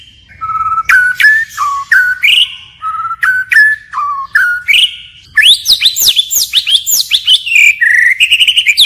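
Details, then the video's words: A white-rumped shama sings in forest style, continually shifting its voice; spaced clear whistles, then a fast cascade of high sweeping notes ending in a rapid rhythmic run. "Chích chòe lửa hót giọng rừng hay đảo giọng liên tục"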